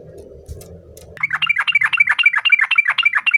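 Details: Yellow-vented bulbul singing energetically to call a rival. After a second of low humming background, a fast chain of gurgling, bouncing notes starts and keeps going, roughly four notes a second, bright and clear.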